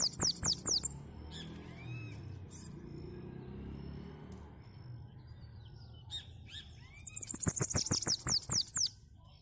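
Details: Bananaquit singing a lot: very high, thin, hissing bursts of rapid repeated notes at the start and end, with a low background rumble in between.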